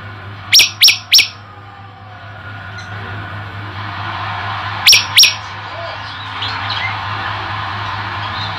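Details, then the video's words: Male olive-backed tailorbird, a formerly kept bird later released, singing one of its song variations: three sharp, high, clipped notes in quick succession, a pause, then two more, over a steady low hum. "9 variasi prenjak lumut jantan gacor"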